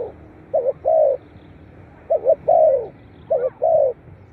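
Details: Spotted dove cooing, a recording used to encourage captive doves to call; three soft phrases, each starting with a short two-part note and ending in a drawn-out, gently falling coo, over quiet background.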